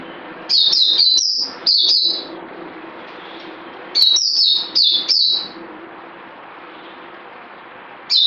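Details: Two rapid bursts of clear, high, downslurred whistles from a bird, five or six notes each, separated by a few seconds of quiet with a faint hum, and one more note at the very end.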